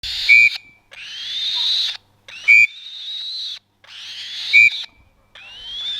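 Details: Captive 35-day-old black-shouldered kite chick being fed by a falconer: long, drawn-out wheezy screeches, slightly rising, repeated about every two seconds, each interrupted by a short, loud, steady electronic-like whistle beep.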